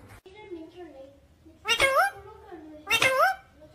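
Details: Pet parrot talking and saying 'mummy papa': two loud, sharp, speech-like syllables with rising inflection, about a second apart, over quiet indoor background murmur.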